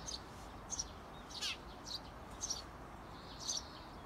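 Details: Parent Eurasian tree sparrows outside a nest box, urging their 17-day-old nestlings to fledge: short, sparse, high chirps spaced irregularly over faint steady background hiss.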